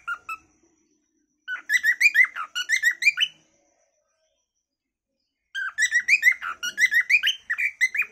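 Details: Cockatiel singing naturally: bursts of rapid warbling, chirping and whistled notes with bright harmonics, a short call near the start, a pause, then another long chattering phrase.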